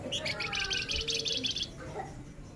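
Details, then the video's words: A male flamboyan sings rapidly in the nyerecet rapat style: a single unbroken train of roughly a dozen fast, high, buzzy chattering notes lasting over a second, then fading into softer twitters against low background noise. "Suara Alami Flamboyan Jantan Gacor Nyerecet Rapat"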